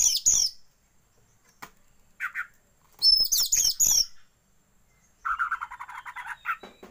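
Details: Oriental magpie-robin song used to train birds to fan the tail: high whistled flourishes alternating with low buzzy grating notes, closing on a long scratchy rattling phrase.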